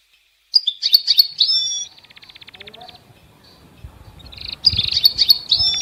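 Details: European goldfinch song: bright, high twittering bursts of quick chirps and liquid trills, a pause with a faint buzzy trill, then another twittering burst; soft low rumbling in the background.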